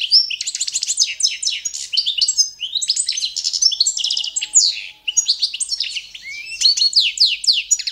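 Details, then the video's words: European goldfinch, Carduelis carduelis balcanica, performing competition-standard song used for training: continuous eight seconds of rapid liquid twitters, trills and chirping phrases with barely any pause. "CD za skolovanje štiglića Carduelis balcanica- goldfinch song - World Championship"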